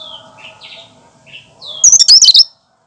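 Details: Original cucak kinoi song without added mimicry, for prompting other birds: a few soft, short whistled notes, then a loud burst of fast, high, jumbled chirps.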